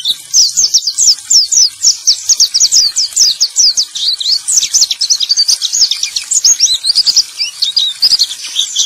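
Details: Male white-eye song used to coax silent white-eyes back into singing: nonstop, very high, rapid twittering of short slurred notes, dense and unbroken throughout.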